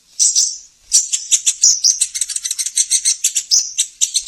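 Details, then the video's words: Lure song of a sunbird (sogon) for prompting stalled caged birds: a brief high twitter, a pause, then a continuous fast, shimmering trill of sharp notes. "suara pancingan burung sogon, korlap dan konin"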